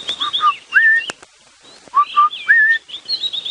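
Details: Southern Boubou at Djuma Game Reserve during a morning safari drive on 11 December 2015: two short mellow whistles and a longer rising whistle, twice about two seconds apart, with thin higher chirps from other birds and a sharp click.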